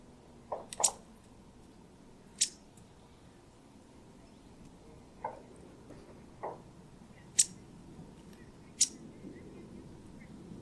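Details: A Cetti's Warbler gives its alarm call at Elmley Nature Reserve, Kent, on 12 October 2025: sharp, dry ticking clicks, some single and some doubled, spaced irregularly one to four seconds apart, over a low background hum.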